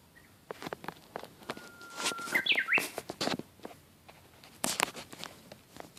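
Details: Japanese bush warbler giving a held whistle followed by a short swooping three-note flourish, partly overlapped by loud crunching footsteps and rustling before and after the song.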